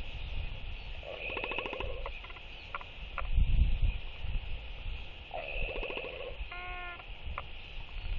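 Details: Four Northern royal albatrosses, non-breeding birds seeking mates, socialize with courtship displays in the evening of 23 October 2023. Two bursts of dry rattling bill claps and a short harmonic yap, all against gusty wind.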